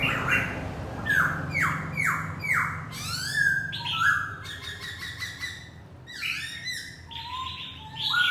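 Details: Laughingthrush kept as a decoy bird sings and dances, giving loud swooping whistles that drop in pitch, repeated roughly once a second, mixed with sharp chirps and rising slurred notes, over a steady low hum.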